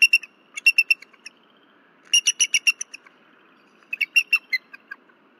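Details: Nest-cam recording of a disturbed female bald eagle at Berry College at night, 15 February 2023, calling loudly until her mate arrives: shrill, squeaky piping notes delivered in quick strings of five or six, repeated every two seconds.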